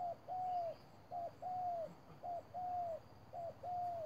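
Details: Spotted dove serving as a decoy in a bird trap, calling quickly and steadily: clean paired coos, short then long and slightly descending, repeated about once a second in quiet surroundings.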